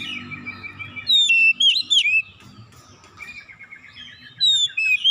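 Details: Oriental magpie-robin song meant to draw out hidden imitated phrases: varied whistled notes with sharp rising and falling sweeps, a buzzy repeated stretch, over low background hum.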